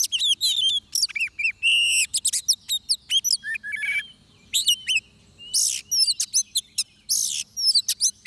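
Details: Song of an oriental magpie-robin in a trapping setting: a rich medley of whistled slurs, sustained buzzy notes and crackling rasps, with one brief lull midway before bright phrases resume.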